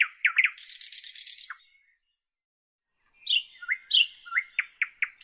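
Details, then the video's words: Nightingale song phrase opening with quick descending notes and a dry buzzing rattle, then a pause of over a second before a new phrase of upswept whistles and sharp repeated chips. "Nightingale Birdsong"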